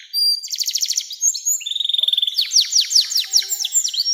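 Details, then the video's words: Canary song of the long 'nembak' type, used as a lure for young canaries: a rapid bright trill, then a steady fast roll of clicks, followed by loud descending whistled notes in quick series. "SUARA KENARI NEMBAK PANJANG‼️cocok buat pancingan kenari muda dan masteran burung"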